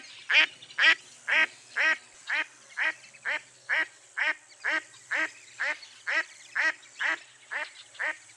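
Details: A long, regular run of seventeen nasal quacks from a mottled duck, about two each second, the first few loudest, then steady and slightly fading.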